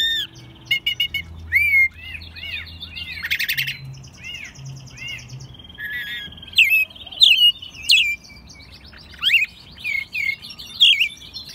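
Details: Pet American robin raised from a nestling, singing indoors in Mexico City in March 2020; strings of arched, slurred whistles and high squeaky notes in irregular bursts, roughly ninety phrases a minute, with a faint low hum behind.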